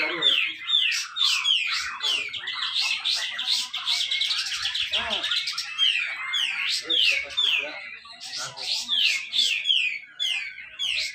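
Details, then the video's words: Grey-cheeked bulbul at a singing competition in Malinau, North Kalimantan, singing the dense besetan rapet style used to prompt reluctant bulbuls to sing. Rapid, unbroken chains of sharp descending whistled slurs, about two a second, continue with almost no pauses. "cucak jenggot besetan rapet"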